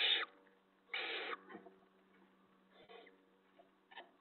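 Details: Nest of barn owls at 5:01 AM, 6 April 2017, an owlet feeding on a vole brought in; two strong harsh hissing bursts, then softer scattered rasps, over a faint constant hum.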